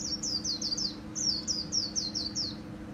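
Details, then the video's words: Khuyên líu song of a Japanese white-eye kept by Vietnamese bird enthusiasts: two quick bursts of high, descending twittered notes, six or seven each, separated by a short break, with low hum beneath. "KHUYÊN LÍU HAY NHẤT 2019"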